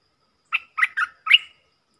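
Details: A brief bulbul phrase: four rapid, slurred chirps in under a second from a stripe-throated bulbul, with no other sounds.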